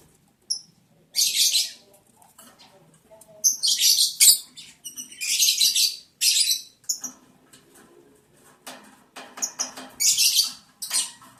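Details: Mating lovebirds in the breeding season, 11 July 2022, day 11 of breeding: scattered shrill screeches mixed with sharp clicks, taps and rustling, the calls coming in uneven clusters with short chirps between.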